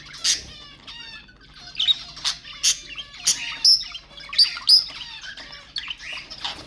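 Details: Budgerigar warbling to stimulate budgies: rapid stuttering chatter of harmonic notes with sharp clicks and squawks roughly once a second, a run of bright high chirps near the middle.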